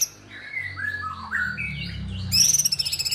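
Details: Sooty-headed bulbul singing energetically in a masteran recording for songbird training: slurred whistled phrases rising and falling in mid pitch, then a harsh, rapidly pulsed buzzy burst high up, over a steady low hum.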